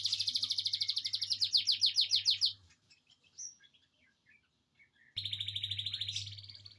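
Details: Kept canary, one of two in the home with another songbird, singing rapid buzzy trills of repeated notes, slowing into separate slurred notes, then a pause with scattered soft chips and another fast dense trill, with faint hum beneath.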